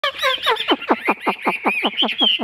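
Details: Caged Chinese hwamei with a large fig-leaf-shaped tail, kept for sale, singing a fast series of loud downward-sweeping notes, about five per second, opening with a few higher warbled phrases.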